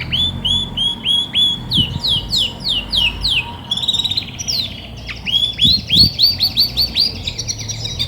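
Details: Female Belgian canary, grey and white, in full song while ready to brood: series of fast repeated high syllables, several per second, shifting between rolled trills and downward-sweeping notes.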